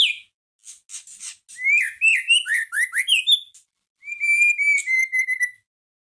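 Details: Shama song played to raise the fighting mood of a caged white-rumped shama: scratchy high notes, a series of rich upslurred whistles, then a long steady whistle broken by crisp chips.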